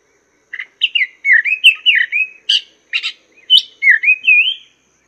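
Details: Chinese hwamei song used as a teaching master for songbirds kept in cages: a lively sequence of looping, wavering whistles broken by two raspy bursts, each phrase shifting pitch up and down.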